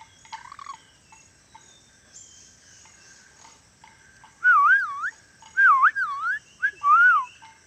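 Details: Tame pet ornate lorikeet, an Indonesian endemic parrot that can also talk, whistling: loud wavy warbled whistles in three rising-and-falling phrases in the latter half, after soft scattered chirps and faint clinking.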